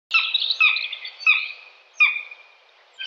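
Common buzzard giving a run of harsh, high, slightly descending calls roughly every half-second to second. Nothing else stands out.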